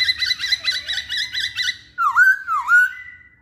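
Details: Masked laughingthrush song played as a lure to get males singing: a string of quick repeated whistled notes, then two loud, slurred whistles that dip down and rise again.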